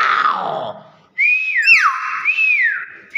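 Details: After a loud harsh noise fades, a Nias hill myna gives arched whistles with a fast downward buzzy slur, then a final rising-falling whistle.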